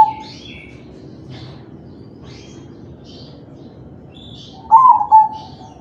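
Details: Kept crossbred zebra dove, kalung tempuk type, whose cooing serves to prompt other doves: one short coo opens, soft high chirps of small birds fill the middle, and a two-note coo phrase closes.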